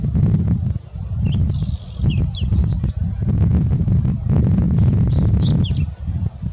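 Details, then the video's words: A singing whinchat gives two brief, scratchy phrases mixed with thin whistles, a few seconds apart, over heavy wind rumble. "Пение лугового чекана"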